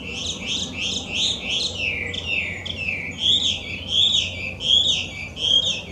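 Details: A loud wild Chinese hwamei, an invasive introduced species in Japan, repeats a rich whistled phrase of quick looping notes about once a second, with each phrase rising and falling. A faint low hum sits underneath.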